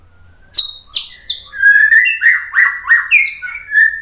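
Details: White-rumped shama song played to provoke other birds to answer. Loud, descending high notes lead into a rich run of varied whistled phrases with rapid, rhythmic pulses and a low hum beneath.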